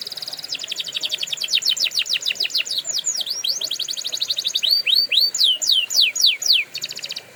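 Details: Training song of a canary: fast rolling trills of repeated downslurred notes shift into louder, wider sweeping notes, then close with a quick buzzy trill.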